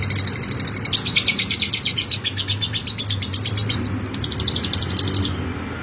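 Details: High, scratchy lovebird ngekek chatter in a long rapid series, pulses closely spaced, a short hitch near four seconds, then ending abruptly before a quieter tail.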